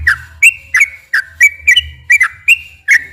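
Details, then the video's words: Sooty-headed bulbul, long 'gacor ropel' song played to make captive bulbuls sing. Clear whistled notes, often in pairs, dropping then rising, spaced about a third of a second apart, with a low background hum. "kicau suara burung trucukan gacor ropel panjang"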